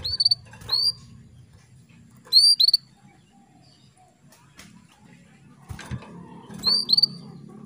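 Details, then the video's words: A female canary calls to stir a male into breeding readiness, giving high, upward-sweeping tweet notes in pairs, three clusters spread over several seconds, with soft low rumbling and rustle between them. "PANCINGAN KENARI BETINA MEMANGGIL JANTAN"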